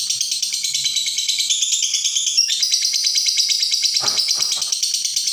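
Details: Long pause-free lovebird ngekek, the kind of chatter used as a tutor recording: continuous piercing chatter of rapid pulses whose pitch steps up and down between phrases, and a few low knocks near the end.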